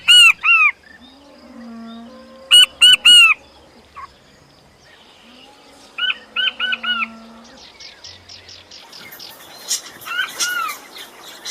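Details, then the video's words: Quails uttering loud arched chirps in tight groups of two or three, separated by pauses, then a fast run of softer chirps, with a low hum at times. "Звуки перепілки❇️Quail sounds"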